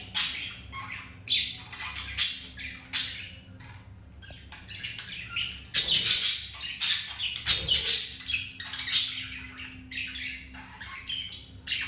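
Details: Pet budgerigars mating indoors, male with a female after being turned down by a white-grey hen; long run of raspy chattering bursts and high squeaks, louder stretches near the middle and end, low electrical hum.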